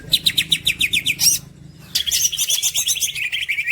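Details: Green leafbird, a champion-style songbird, delivering fast strings of sharp high chirps, breaking off briefly, then resuming with a dense, rapid, buzzy-bright chatter of notes over faint low background hum.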